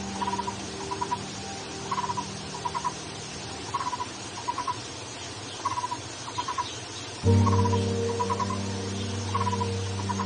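Red-and-yellow barbet giving short, hollow, mid-pitched notes in quick clusters of two or three, repeated about once a second over a steady low hum that grows louder near the end.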